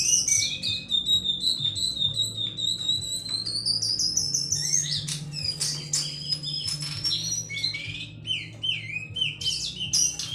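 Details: Sunda laughingthrush (cingcoang) in full song: long rising whistled slurs followed by bursts of rapid varied notes and short clicks, over a constant low hum.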